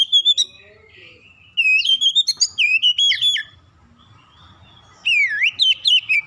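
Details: Oriental magpie-robin song played to stir rival magpie-robins into responding. Clear whistled notes and looping slurs come in rapid bursts, separated by quiet gaps of a second or more. The last phrase is a vigorous rising-falling sequence.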